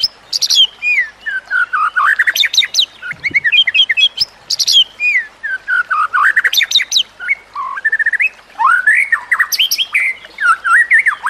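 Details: White-rumped shama song used as training material for other shamas, with nature sounds and trickling water: loud, varied phrases of clear whistles, sweeping slurs and sharp high chips, delivered in rapid bursts separated by short pauses.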